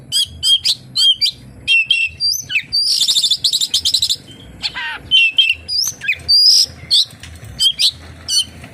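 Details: Oriental magpie-robin singing a song full of kapas tembak imitations: rapid, varied high whistles, sharp rising and falling notes and buzzy trills, delivered in quick bursts with short pauses.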